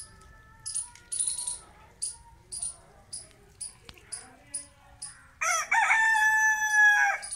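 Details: Rooster crowing loudly: after a run of short, sharp high chirps repeating roughly twice a second, a long, harsh, harmonic-rich cock-a-doodle-doo rises and then falls away over the final two seconds.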